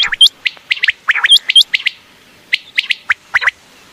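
Common quail giving quick, sharp chirping notes high in pitch, in bursts of two or three, several per second, with no other sounds behind.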